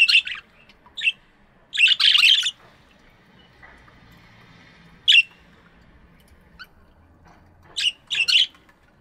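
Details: Budgies in a morning aviary: brief squawky chirps and a longer buzzy chatter burst, separated by quiet gaps, a few more clipped chirps near the end.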